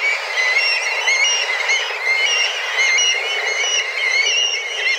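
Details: Black kites, a flock of dozens circling and calling intensely while searching for food at a regular daily feeding time; many overlapping thin whistled mewing calls with harmonics, slightly rising and falling, forming a continuous chorus.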